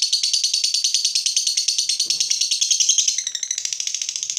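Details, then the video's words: Fighter lovebird stirred up by a rival delivers a long ngekek, a dense, high, rattling chatter of fast repeated notes that continues throughout and shifts a little higher toward the close. "Lovebird FIGHTER terpancing Panas, nyaut Ngetik lanjut Ngekek Panjang"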